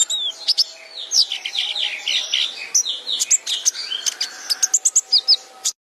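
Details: Sunbird song on a bird-training recording: chattering, downward-swept buzzy notes followed by quick high chirps in pairs, stopping abruptly near the end.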